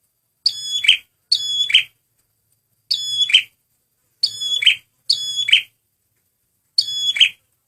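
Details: Male prenjak merah, or red prinia, singing as a lure: six brief phrases, each a ringing high note with overtones sliding into a buzzy chatter, some in close pairs, with silent pauses between.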